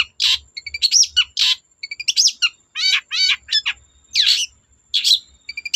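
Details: Long-tailed shrike singing energetically to draw untrained shrikes into song. Quick bursts of sharp chirps, slurred whistles, stacked buzzy notes and squeaky phrases follow one another with short gaps, over a faint low rumble.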